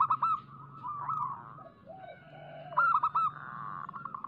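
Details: Zebra dove lure song: bursts of rapid clipped coo notes, a wavering prolonged tone between them, and a faint lower warble, all above a constant low hum.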